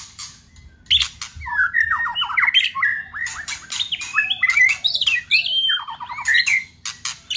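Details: White-rumped shama delivering harsh 'tạch' song used to stimulate other shamas: after a quiet start, busy sequence of short slurred whistles, fluty notes and scattered sharp clicks, dense and varied.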